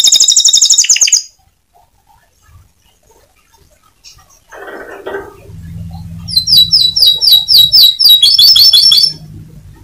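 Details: Canary bursts of ngebren song: a brief bright trill, then a pause with soft rustling and low hum, followed by a run of fast, repeated, sharp downslurred chirps.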